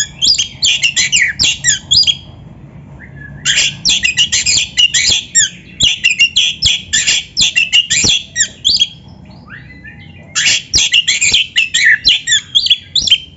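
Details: Magpie-robin (kacer) song for training a bird to sing: long repeated bursts of rapid, harsh, squawky chatter high in pitch, interrupted by short quiet gaps and faint clicks.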